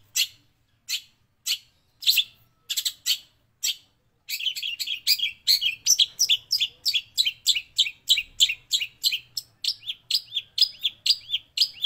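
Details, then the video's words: Long-tailed shrike master song containing imitations of sparrow and prinia: spaced single chirps at first, then a brisk continuous sequence of sharp, slightly buzzy notes roughly three per second. "MASTERAN Cendet Gacor isian Gereja & Prenjak"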